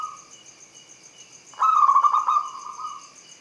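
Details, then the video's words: One rolling phrase of quick cooing notes from a local zebra dove in angkatan style, rising out of a quiet start with a steady high-pitched hum throughout. "JENIS SUARA ANGKATAN PERKUTUT LOKAL AUTO NYAMBER PERKUTUT MACET"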